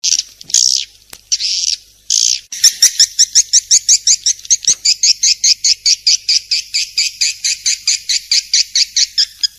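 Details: Swiftlet calls played as a masteran training recording: after a few harsh hissing bursts, a steady run of sharp, high two-toned chirps repeats about four times a second to the end.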